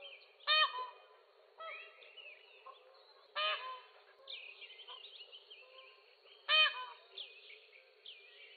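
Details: Loud, abrupt peacock cries, believed to foretell a thunderstorm or rain, burst out three times at roughly three-second intervals, each a short harsh nasal yelp, over a constant background of chattering, whistling songbirds.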